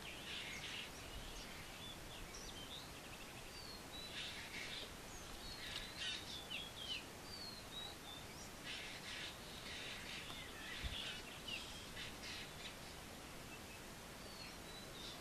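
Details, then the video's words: Spotted owlets give harsh, screechy chattering bursts, repeated every second or two, mixed with higher chirps, over a steady background hiss. "spotted owlet"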